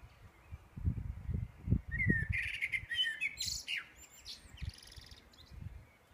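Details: A songbird in Edinburgh at 4am on 9 May 2014 gives a brief burst of bright, sweeping whistled phrases for about two seconds, over a steady low rumble and thumping background noise.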